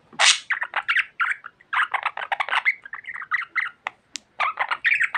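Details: Chatty pet budgerigar opening with a loud harsh squawk, then a steady stream of short scratchy speech-like syllables and chirps in quick succession.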